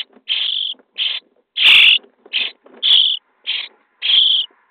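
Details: Day 23 inside a starling nest box, chicks begging as they are fed: harsh buzzing calls follow one another closely, one loud hissing burst among steadier rasps, nearly continuous.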